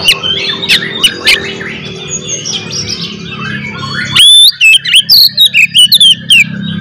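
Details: Oriental magpie-robin singing a combative provoking song: a busy, varied jumble of warbles and clicks gives way to a loud run of bright whistled phrases, each short, sliding and sharply cut off.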